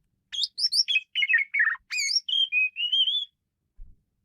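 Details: Jalak suren (Asian pied starling) singing wildly: quick chirpy notes, a cluster of slurred descending warbles, then long level and gently rising clear whistles.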